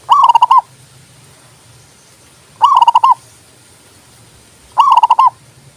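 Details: Three evenly spaced zebra dove song phrases, each a quick, bubbly string of about six rolling coo pulses, separated by roughly two seconds of near-quiet with low background rumble.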